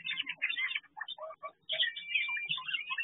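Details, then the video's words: Chestnut-flanked White-eye (Zosterops erythropleurus) in an aviary gives a busy stream of short chattering and twittering notes with thin high whistles mixed in and a brief pause midway. "Zosterops erythropleurus"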